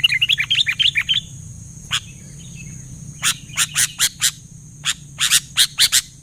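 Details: Sooty-headed bulbul in energetic song that other bulbuls answer: a quick run of about a dozen short rising whistled notes over roughly one second, followed by scattered harsh broadband bursts and a steady high hiss.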